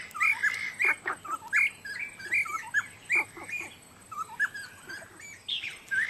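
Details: At Dagangshan, Taiwan, in July 2011, a black-necklaced scimitar babbler gives loud repeated whistled notes mixed with harsher squawky tones, about two calls a second with brief gaps between groups.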